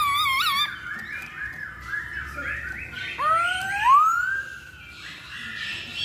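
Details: Masked laughingthrush song for luring birds into song: a wavering warbled whistle, a chain of soft rolling phrases, then two long rising siren-like whistles over faint background chatter.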